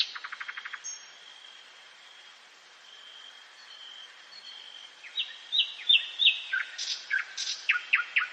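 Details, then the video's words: Nocturnal forest song of a common nightingale: a quick rattling trill opens, followed by a lull with only a steady high tone, then loud descending whistled slurs and sharp repeated notes. "СОЛОВЕЙ. НОЧНОЕ ПЕНИЕ СОЛОВЬЯ В ЛЕСУ."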